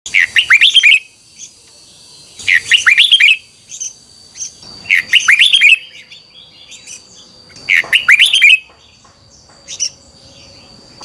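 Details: Red-whiskered bulbul morning training song, used as a lure for teaching other birds: loud bursts of rich, rapid whistled and warbled notes about every two and a half seconds, separated by short silences, with a steady faint high tone behind.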